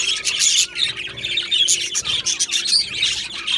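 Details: Australian budgerigar colony in an aviary, recorded 15 July 2025: dense, continuous high chirping and warbling from many birds, with quick buzzy notes and short whistled squeaks overlapping throughout.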